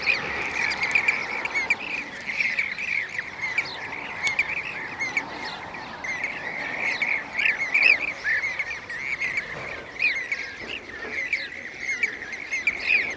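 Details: A flock of Blue-cheeked bee-eaters (Merops persicus) at Şanlıurfa, Turkey, 2016, keeps up a busy chorus of rolling, trilled calls. It thins briefly midway, then swells again, with high ticking chirps from other birds throughout.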